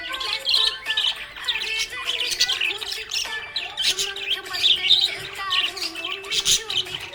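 Budgerigar chattering in a fast, scratchy warble of high chirps and squeaks, with music playing underneath.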